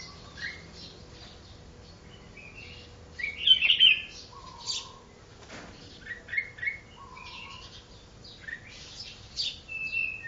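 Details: Red-whiskered bulbul, a wild mountain-forest bird one day after capture, giving scattered chirps and short warbled phrases, with one louder burst, against a low background hum.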